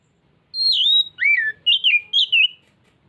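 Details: Clear whistled phrase from an Oriental magpie-robin, meant to coax other birds into showing their song. A drawn-out descending high note, an arched lower swoop, then three brisk twisting whistles over near silence.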